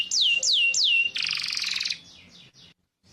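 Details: Yellow canary singing: three loud downward-sweeping whistled notes, then a dense buzzy trill, fading into softer notes and a brief pause.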